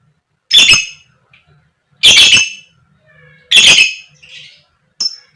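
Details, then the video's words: Koek koek call of a female fighter lovebird, meant to provoke other lovebirds into song: three loud, grating shrieks about one and a half seconds apart, then a short high clipped note. "Pancingan Lovebird Betina Biar Cepat Gacor, Lb Koek Koek, Lovebird Chirping Sound"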